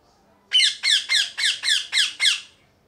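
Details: Seven evenly spaced, harsh, piercing parrot screeches in a row, each short and rasping, delivered about three per second against a quiet background.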